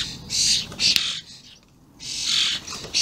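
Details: Common starlings, very vocal juveniles and adults, recorded 28/05/16: harsh broadband hissing rasps around 3–8k, two long bursts then a pause and another, with a faint low hum beneath.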